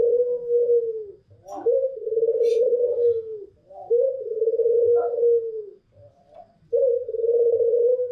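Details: Long, even, low coos from Barbary doves, a white pelung long-cooer and a local dove, singing freely: three sustained hollow notes about two seconds each, each led by a short rising lift, with faint clicks.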